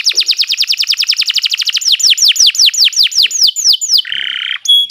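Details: Canary master song for training: a long rapid trill of sharp high notes slowing into rhythmic downward-sweeping whistles, then a brief buzzy rattle and a pure tone.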